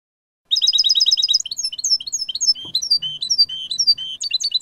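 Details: Clean-style 'jilguero limpio' song of a European goldfinch, recorded 2019: after a short silence, a rapid run of repeated bright double notes, then varied twittering chirps and tinkling phrases, with a soft low hum and one thump.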